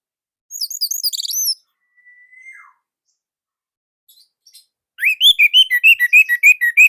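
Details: Indonesian orange-headed thrush singing nonstop. Very high, bouncing whistled notes open the phrase, followed by a soft descending slide and some faint ticks. Then comes a loud, rapid series of sweet slurred whistles, roughly three per second.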